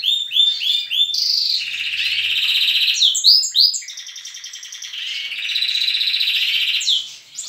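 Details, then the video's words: Young canaries singing alongside adults at dawn in a breeding room: a burst of upslurred chirps, then long overlapping buzzy rolled trills that swell and fade, with a brief quieter dip midway. "Baderna bagunça de canto estimular filhotes"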